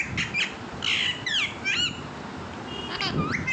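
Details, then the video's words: Talking pet parrot giving short bright squawks and slurred, downward-sweeping whistled notes in a few quick bursts, with a quieter pause before a final rising-falling call. "my talking parrot"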